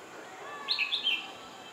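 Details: One of a bulbul pair in its natural habitat gives a quick, bubbly run of three or four bright, liquid notes that dip and rise over about half a second, over faint background hiss.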